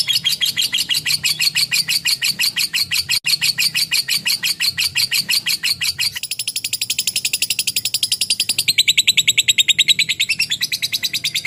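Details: Long 'ngekek' chatter from a lovebird, made of dense rapid chirps. The chirps slow a little and then quicken again into a thinner, higher stream of repeated notes.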